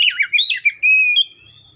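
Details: Copsychus saularis, the oriental magpie-robin, giving a short burst of quick, twisting whistled notes that settles into a long, level, pure whistle lasting about half a second.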